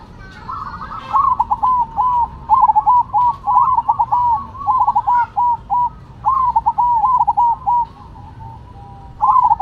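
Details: Zebra doves of the Cemani and Silver varieties singing in competition; a long run of ringing, coo-like phrases near one pitch, each a quick burst of rolling, stuttered notes with short gaps, about nine phrases in succession over a low background hum.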